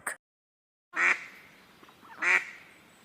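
A duck gives two loud, harsh, nasal quacks spaced just over a second apart, with a brief cut-off sound at the very start.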